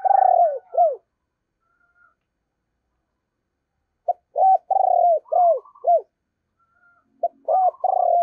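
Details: Spotted dove used as a decoy, cooing in loud bursts: short hooked notes and a drawn-out rolling coo, repeated after a pause.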